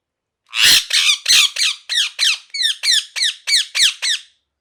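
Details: Loud, harsh parrot squawks in a steady run of about twelve, roughly three per second, each a rasping downward-sliding screech, with no other sounds.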